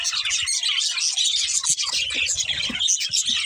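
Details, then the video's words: A pair of budgerigars with steady high chattering and twittering warbles, over soft low background rumbling and knocks. "Cute Budgies Chirping Sounds"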